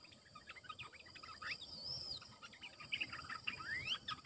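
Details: Red-eyed bulbul used as a caged decoy bird, with short warbled phrases and bubbly notes, a few rising slurred whistles, over steady insect hiss.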